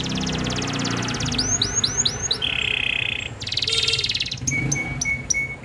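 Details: Local canary in full, vigorous song with champion-style cengkok phrasing: rapid buzzy rolls, a run of repeated downward-sweeping whistles, a steady trill and then evenly spaced high pips, over some low background noise.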